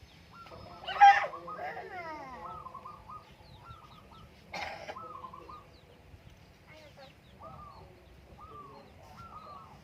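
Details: Zebra dove singing in the morning on the Menoreh slopes, a soft run of short, evenly spaced cooing notes that hook at their ends, interrupted by two loud, harsh calls from other birds.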